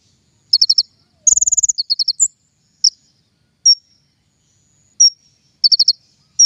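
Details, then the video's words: King konin trapping lure, with bursts of doubled high chirps, one fast rattling trill, then sparse isolated whistled notes spread across the clip. "PIKAT KING KONIN SUARA PANCINGAN"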